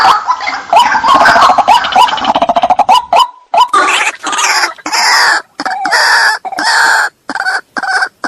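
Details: White-breasted waterhen luring sound: a fast stuttering series of short notes leads into longer, harsh, croaking squawks separated by brief pauses.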